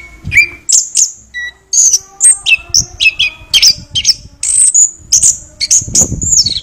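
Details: A kept Chestnut-capped thrush (Geokichla interpres) singing a fast, varied string of high, sweet whistles and trills, phrases tumbling quickly one after another, with a few soft low thumps.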